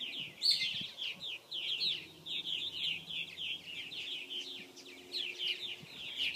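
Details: A South Florida purple martin nesting colony in 2014: dense overlapping chirps and gurgling notes from many birds, a loud sharp squeak at the start, with faint low background rumble.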